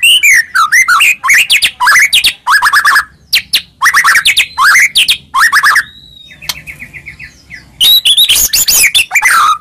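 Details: White-rumped shama song played to provoke a reply: rich, varied phrases of slurred whistles and chattering notes in quick bursts, with a brief pause of softer repeated notes near the middle.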